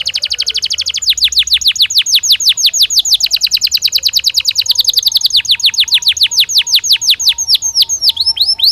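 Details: Belgian canary singing naturally: a long, fast, continuous trill of sharply sweeping high notes, dozens per second, rolling steadily with slight changes in tempo and pitch, plus a faint low steady tone underneath.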